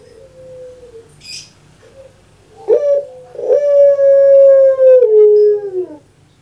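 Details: Barbary dove (Streptopelia risoria), a kept Javanese long-cooing type: a soft low coo, then a loud, drawn-out hollow coo held about three seconds before sliding downward, its typical "kuk gerukkk kwokkk" call.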